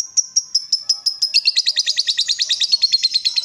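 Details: Excited lovebird delivering ngekek chatter after being provoked: spaced shrill squeaks at first, then a denser run of rapid, rattling high notes, with a faint lower tone audible beneath.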